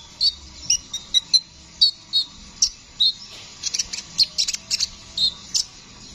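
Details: Brown-throated sunbird, known locally as kolibri ninja, singing a busy rolling song. It is a master recording for training songbirds. Quick sharp high chirps and short trills follow one another at irregular intervals, with denser bursts toward the end.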